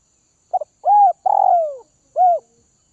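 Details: A single complete phrase from a kept spotted dove of Northwest-region stock being tamed: two clipped notes, a soft arched coo, a long descending coo, and a final short coo in silence.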